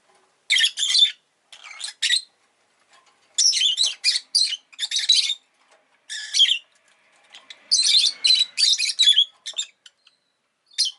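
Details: Lively run of harsh chirps from a pet rosy-faced lovebird, grouped in quick clusters of rasping notes with short pauses, becoming a dense burst near the end.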